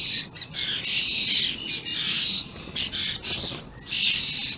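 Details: Common starlings, young and adults together, recorded 28 May 2016, uttering overlapping raspy, hissing screeches in an irregular jumble.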